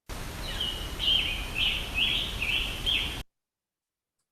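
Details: A Scarlet Tanager sings like an American robin with a sore throat: a run of short, hoarse, burry phrases, about six in three seconds, over faint background hiss.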